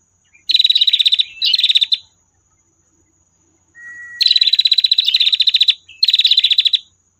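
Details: A female prinia's long trill, recorded for tutoring songbirds: two fast trills of sharp high notes, a quiet pause, a thin level whistle, then further extended rapid trills.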